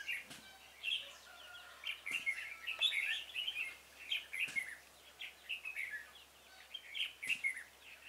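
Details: Red-whiskered bulbul singing at a trapping session on 26 February 2018, a decoy bird luring a stubborn wild bulbul; bright warbled, whistled phrases come in quick bursts, roughly one every second, with a few faint clicks between.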